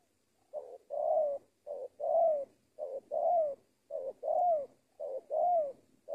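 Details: Spotted dove in Indonesia, kept and trained as a lure bird, giving soft low coos in pairs, a clipped opening note then a drawn-out falling coo, the pair repeated roughly every second.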